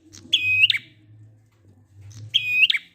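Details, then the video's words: Prinia ngalun song played to get stalled prinias singing: two clear phrases, each a high note, a buzzy sustained trill and a sharp falling note, with only a faint low hum between. "Prenjak ngalun"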